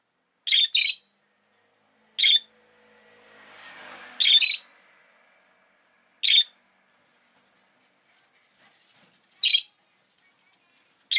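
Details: Rosy-faced lovebird, Agapornis roseicollis, pet bird, with harsh high chirps every two seconds or so, singles and pairs, and a soft swelling background noise in the middle.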